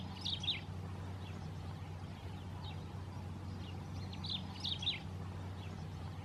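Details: White-rumped tanager singing in the wild: short high chirped phrases and rising notes repeated in bursts, with a steady low rumble of background noise.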